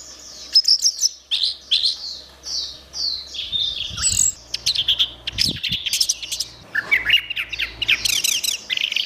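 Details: Orange-headed thrush (anis merah) in vigorous (gacor) song for training caged birds: a dense, rapid stream of high chirps, trills and sharp twittering notes running almost without a break, with faint low rumble beneath.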